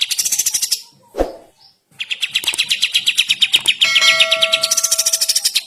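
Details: Sooty-headed bulbul singing in the morning: fast series of sharp, buzzy chip notes at about three per second, briefly broken by a dull knock, then resuming alongside steady high tonal lines.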